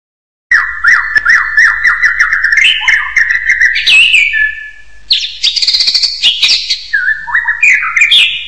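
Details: Hill myna giving loud whistled notes near the same pitch, repeated with small upward flicks, then rising to higher sliding whistles and a long level tone before bright, squeaky, rising phrases.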